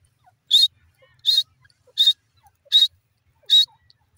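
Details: Grey francolin, known as the dakhni irani teetar, calling: five loud, sharp, high-pitched notes, evenly spaced about three quarters of a second apart, with near silence between them.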